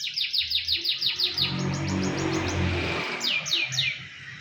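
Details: Canary song played as master audio for tutoring other birds: repeated falling whistled sweeps, interrupted midway by a low rumbling background noise, then three more sweeping notes.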